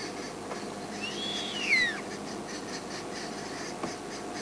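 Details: In the afternoon of 31 March 2008, a mature Verreaux's eagle-owl (Bubo lacteus) gives one wheezy, whistled squeal that arches up then slides down. It is being mobbed by a drongo and arrow-marked babblers. Steady background hiss.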